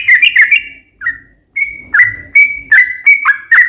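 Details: Vigorous yellow-vented bulbul song, 'ropel panjang' style, serving as a lure for other bulbuls: a brief warble, a pause, then clear whistled notes, several dropping sharply in pitch.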